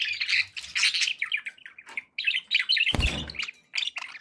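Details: Pet budgerigars warbling in busy bursts of chirps and squeaky notes, with short pauses and one brief broadband scrape near the three-second mark.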